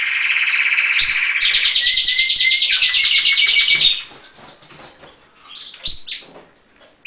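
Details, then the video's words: Canary song opening with about four seconds of dense, fast high trills and rolls, then breaking into scattered short chirps and whistled notes with small pauses before a final sharp note. "Canaries - Canary - Song - Singing"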